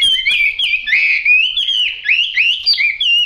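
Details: Chinese hwamei with yellow bill and yellow legs singing a continuous stream of loud, clear whistles that slide up and down, with rising swoops and falling slurs running almost without pause.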